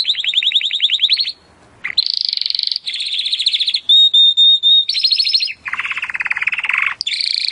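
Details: Timbrado canary song used as training audio: rolling trills broken by short pauses, a clear pure whistled passage, then lower dense warbling trills and a closing high trill.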